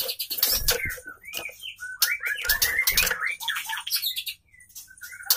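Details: Female white-rumped shama song for stimulating males; looping whistled phrases and quick notes broken by loud rustling and knocks, fading into near quiet.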